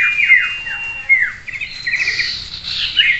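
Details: Common iora song from a singing-contest simulation meant to train a bird's mental steadiness: quick downslurred whistles and a long steady whistle, then rapid buzzy twittering runs with overlapping voices.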